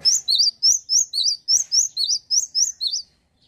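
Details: Loud, clear song of a male cinereous tit: eleven evenly spaced, high, sharp two-note whistles, each a quick drop then lift, repeated about four times per second, ending abruptly.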